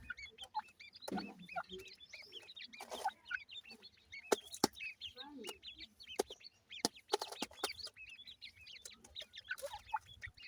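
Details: Grey francolin chicks (teetar) giving a dense chorus of overlapping high, arched peeping chirps, with scattered sharp clicks and taps and brief low voice-like sounds in the background.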